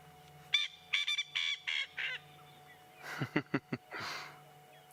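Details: Coqui francolin, close and in view, gives a rapid run of nasal, harmonic notes as its territorial call, calling non-stop; another answers in the distance. Several francolins hold territories in the area. Recorded on an afternoon safari drive, 28 October 2016.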